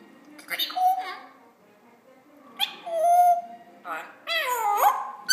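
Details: Young male African grey parrot, 14 months old, still learning to talk, saying peekaboo; three separate bursts of warbling, speech-like vocalizing with sliding whistled tones, short pauses between phrases, indoors.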